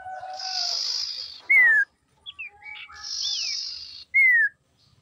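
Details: Female common iora voice, used to lure and provoke rival males. Loud, clear falling whistles are repeated about every two and a half seconds. Rasping buzzy bursts and short chirps fill the gaps.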